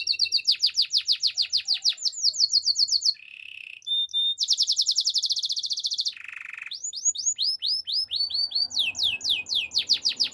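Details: Spanish Timbrado canary training song made of fast buzzy trills. A brief lower, bell-like passage and a metallic note break them up, then the song moves into a series of separate rising-falling whistled strokes.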